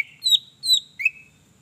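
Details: Greater green leafbird singing to stimulate other birds: three clear whistled notes in quick succession, the first two high and falling, the last lower and rising.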